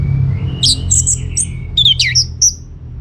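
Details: Orange-headed thrush in full song, meant to draw answers from other birds: a thin rising whistle, then a rapid run of high, slurred, sweet notes, over low droning noise.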